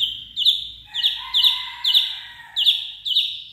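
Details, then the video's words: Steely-voiced white-rumped shama at peak form, repeating a sharp, bright high note about twice a second, five strokes in a row, each with a slurred tail and a fainter lower warble between them. "shama bird"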